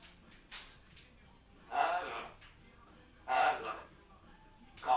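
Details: Two grey parrots left alone at home in their room, speaking and making odd sounds: loud breathy, speech-like bursts about every one and a half seconds, with short sharp clicks in between.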